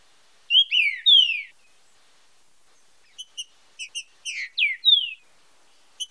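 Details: Training song in 'fibra com marcheado' style from a Green-winged saltator: three rich downslurred whistles, a pause, then a run of paired short ticking notes leading into three more falling whistles.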